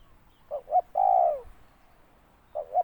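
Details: One full spotted dove phrase, with two brief rising notes leading into a long, smooth coo that falls away. It is followed by the start of another phrase.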